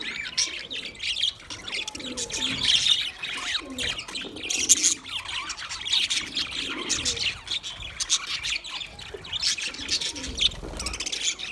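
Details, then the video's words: Budgerigars chirping: dense, continuous high chatter of many birds, with overlapping squawks and quick tweets and no pauses, plus faint low rumble underneath. "sounds of budgies chirping"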